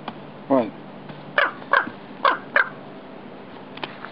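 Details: Raven defending its nest from an intruder on the roof: a handful of hoarse, clipped caws in quick pairs, with a lower rough note at the start and a quiet gap at the end.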